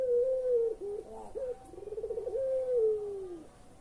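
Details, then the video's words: Collared dove, pelung style, used to coax non-calling birds: a falling tone finishes, then hooked notes, a quickening series of rolling pulses, and a long, slowly descending drawn-out coo. "SUARA BURUNG PUTER PELUNG"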